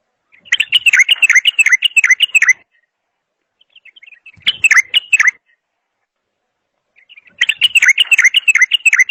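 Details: Bulbul singing three loud, rhythmic runs of quick, rolling whistled notes, the first and last about two seconds long, with a shorter phrase between them.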